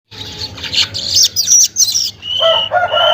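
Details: Weaver singing in the morning around 5:40 am: harsh, buzzy, sizzling bursts at high pitch, then rough lower harmonic notes toward the end.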